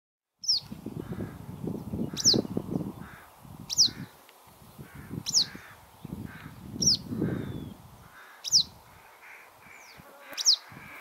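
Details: Western yellow wagtail (Motacilla flava) at Bogolyubovo on 22 June 2020, giving thin, high, slurred 'tsweep' calls about every one and a half seconds over steady low rumbling wind and faint background noise.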